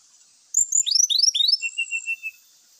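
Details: Brown-chested jungle flycatcher song that provokes other males to fight: a quick burst of rising and falling whistled slurs, then a row of five even lower whistled notes, over faint high hiss.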